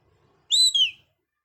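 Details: Parrot giving two short, high whistled notes in quick succession, the second sliding downward, with silence around them.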